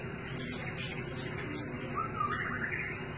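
Thin, high, sharp chirps from a blue-crowned hanging parrot come in brief bursts roughly once a second, over a steady background hiss.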